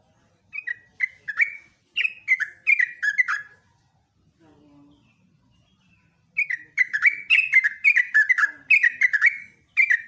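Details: A yellow-vented bulbul in gacor morning voice, rapid ropelan singing: chattering phrases of gurgling, downslurred whistles repeated several times per second, one pause, then a longer unbroken burst to the end.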